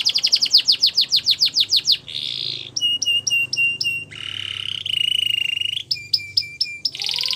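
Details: Gloster canary in training song, opening with a fast series of descending notes, followed by alternating buzzy rattles and clipped repeated phrases, some harsh and squawk-like, over a low background hum.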